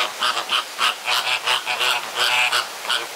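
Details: Flamingos fighting in a crowded enclosure at Jardin Botanique de Deshaies, Guadeloupe, give loud, goose-like honks. The honks are repeated rapidly and overlap in a dense, nasal chorus.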